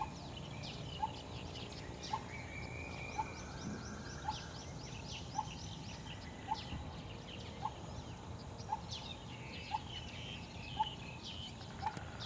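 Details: A coppersmith barbet, recorded 12 January 2014, repeats a hollow, metallic tuk about once a second, steady and unhurried, while other small birds chirp and twitter higher up.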